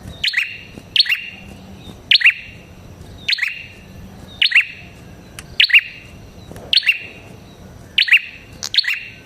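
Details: Red-headed prinia calling insistently. Loud, sharp double chips with a falling pitch and a ringing afterglow recur roughly every second throughout. No other sound stands out.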